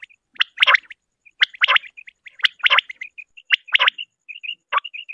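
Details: Common quail, described as female, recorded in a hunting context, giving sharp, clipped bursts of notes about once a second, with soft high chirps filling the gaps between.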